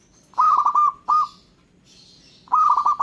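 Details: Local zebra dove song that other birds are said to answer: a rolling trilled coo, then a short single note, then another rolling phrase, with faint high chirps from other birds in the gaps.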